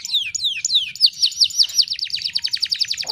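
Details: Tutor song of a canary for teaching other canaries to sing: a few slow downward-sweeping whistles give way to a fast, even trill of sharp high notes repeated several times a second, steady and loud.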